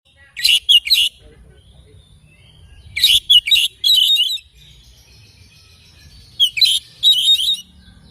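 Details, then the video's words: Oriental magpie-robin singing in the morning: three bursts of bright, chattering whistled phrases, each about a second long, arriving roughly every three seconds over a quiet background. "Kicauan Kacer Dipagi Hari"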